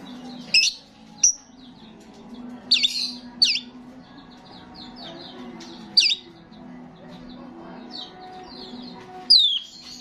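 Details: Actively singing starling used to lure starlings: irregular high whistled chirps and downward-sweeping notes spaced over several seconds, some in pairs, with faint twittering and a low background hum between them.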